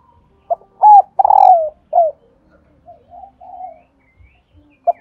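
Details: Female spotted dove (cu mái) call, played in Vietnam to prompt reluctant males to coo: a short note, a sharp coo, a longer throaty falling coo and a final short coo, then faint soft notes.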